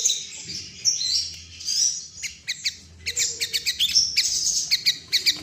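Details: Sooty-headed bulbul in breeding condition, a sound said to make the bird droop its wings and fluff up; bright chirping notes, some sliding, others in short stacked bursts, several birds' voices overlapping with a low steady hum beneath.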